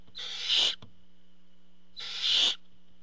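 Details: Two loud, hoarse hissing screeches from a barn owl at the nest as the male parent brings food, spaced about two seconds apart, over a faint constant hum.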